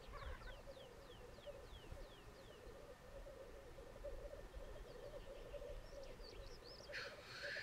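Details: Black grouse at a lek on the Sallandse Heuvelrug, Overijssel, Netherlands, a population reinforced with Swedish birds. Unbroken low bubbling cooing throughout, one hissing sneeze near the end, and a sequence of descending whistled notes from other birds.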